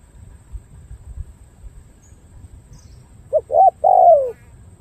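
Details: Cooing spotted dove from Cà Mau, Vietnam, noted for a good song pattern. After a quiet start, a single phrase ends the recording: two brief hooting notes, then a drawn-out falling coo.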